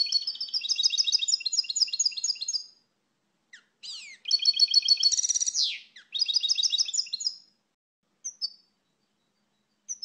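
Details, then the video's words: European goldfinch, the Portuguese pintassilgo, singing loud runs of fast, high twittering trills separated by short pauses, with a few slurred chirps and isolated call notes. "Canto do Pintassilgo Português, pássaro com canto bonito (Carduelis Carduelis)"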